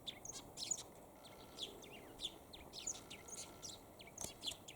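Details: A Eurasian tree sparrow perched and calling in good weather; sparse, clear, high chirps and short twittering notes come in small bursts with brief gaps, against a quiet, faintly hissing background.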